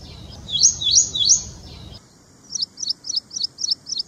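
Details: Ashy prinia giving three loud, rasping sweeping notes, then after a cut a clean sequence of seven short, high twittering chirps spaced evenly about a third of a second apart.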